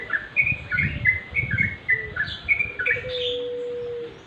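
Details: Wild sooty-headed bulbuls calling at twilight: a lively series of bright, short chirps and slurred notes, several birds overlapping at about three per second. A long flat tone enters near the end, over a faint low hum.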